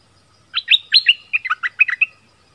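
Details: Bulbul used as a decoy in southern Thailand, merbah lekir, delivers a lively phrase of paired chirps leading into a tumbling sequence of lower warbled notes, all within about one and a half seconds.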